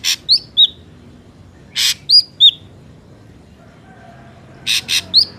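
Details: Ashy drongo song from a natural recording used as a trapping lure: harsh rasping bursts alternating with bright upslurred and downslurred whistles, in loose clusters with quiet pauses between.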